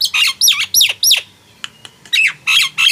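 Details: Loud, swooping Nias hill myna notes come in quick groups of four, then a brief lull with faint clicks, then three more bright whistled calls. These calls serve to stir non-singing mynas into song.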